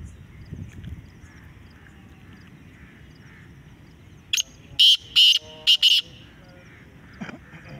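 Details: A black francolin in a calling contest gives one harsh, grating phrase of about five loud, clipped notes over under two seconds, with a faint background hum throughout.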